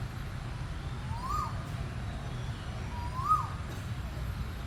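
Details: Asian koel, locally called burung tuwu, giving two rising whistled upslurs about two seconds apart, fairly faint over a steady low rumble of background noise.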